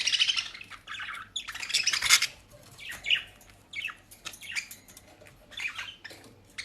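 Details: Pet budgerigars in Den Haag, Netherlands, given dry leaves and grass, chatter with bright, scratchy chirps and harsh squawky bursts in quick irregular runs, with short pauses between clusters.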